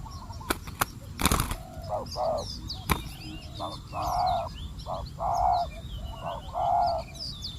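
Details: Spotted dove calling during decoy trapping of wild doves; a few sharp clicks and knocks open, then short and long low, hoarse coos in phrased groups follow, with faint twittering of small birds in the background.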